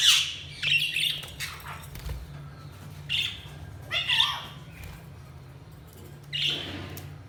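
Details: Budgerigar chirping: scattered harsh, buzzy chirp bursts and short warbled squawks separated by pauses of about a second, with a low background hum.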